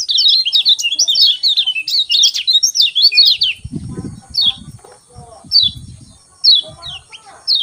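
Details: Lemon-bellied white-eye singing in the morning, a 'ciak ciak' chirping style used to spur reluctant birds into song: fast high twittering warbled bursts for three seconds, then sparse single chirps over low thumping knocks.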